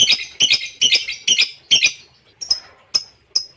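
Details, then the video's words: Caged lovebird from a non-stop recording used to train other birds: five loud harsh rasping chirps, some doubled, about two per second, then three short piercing high chips spaced further apart. "LOVEBIRD TANPA JEDA,cocok untuk masteran"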